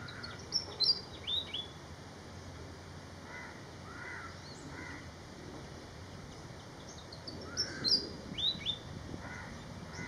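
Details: Malaysian pied fantail producing short volleys of high, tinkling whistled notes at the start and near the eighth second. Lower, husky calls from another bird repeat in between over constant hiss.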